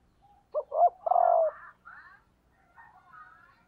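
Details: Female spotted dove decoy calling to rouse males, a short-short-long cooing phrase, with faint higher chirping from other birds afterwards.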